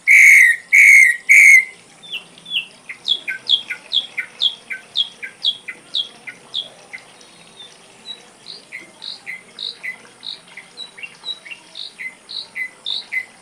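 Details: Ashy drongo song from a tutor recording for songbirds opens with three loud whistled notes, then a long, varied string of quick chirps alternating between higher and lower pitches, fading slightly toward the end.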